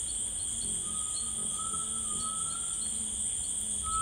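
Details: A grey tinamou sings in rainforest: a series of long, thin, slightly rising whistled notes strung together, with steady high-pitched insect noise throughout.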